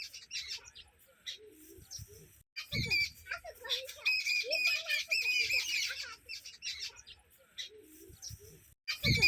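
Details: Group of sparrows on a red floor giving rapid, shrill, overlapping chirps, starting softly then swelling into a loud busy twittering chorus with faint low murmurs and soft thuds below, ending after a brief gap.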